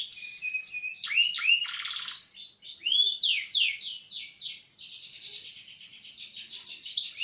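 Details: Domestic canary song used as a training tutor for other canaries: varied whistled notes, rising sweeps and fast buzzy trills, ending in a long, steady high rolling trill.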